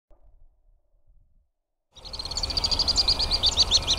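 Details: Alpine swifts in Hérault, France, July 2022: after two seconds of near silence, high rapid trilling calls burst in, repeated chattering rattles that grow louder toward the end.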